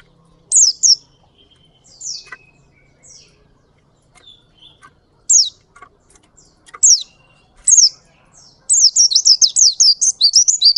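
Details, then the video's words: Ngalas Oriental white-eye, a persistent singer of long rolling song: scattered high slurred notes spaced about a second apart, then a dense run of rapid twittering that keeps going to the end. "Pleci Ngalas Gacor Ngerol Durasi Panjang"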